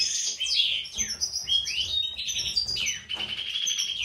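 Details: A European goldfinch from a breeding pair (white-throated mutation male, classic female) sings a fast, tinkling run of bright twitters, slurred notes and buzzy trills, high-pitched and almost continuous.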